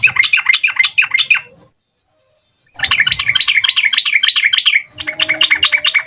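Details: Sooty-headed bulbul in full rapid-fire 'ropel' song, used as a lure to get young bulbuls to answer: loud, fast runs of bubbly chattering notes, broken by a second of silence, then resuming with the same quick rhythm.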